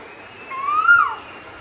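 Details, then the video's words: A single Asian koel note, a smooth whistle sliding upward and then dropping sharply at its end. "குயிலின் அமுத கானம் - 3 | Singing Asian Koel - 3"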